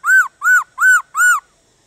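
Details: Four loud, ringing arched whistles, evenly spaced about a third of a second apart, from a black-throated laughingthrush in 'déo bổi' song meant to stir wild-caught laughingthrushes into singing.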